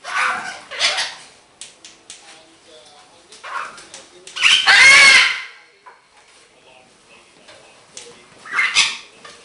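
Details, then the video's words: Happy pet green-winged macaw kept indoors, giving several harsh, broad squawks and short raspy bursts separated by quiet gaps, with one loud drawn-out screech near the middle. "my greenwinged macaw have som noices, chat and a little bit laughin."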